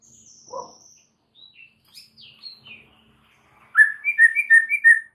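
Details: White-rumped shama tutor recording full of varied phrases: soft thin high whistles and scattered quiet notes, then a sudden loud burst of rapid whistled chirps near the end.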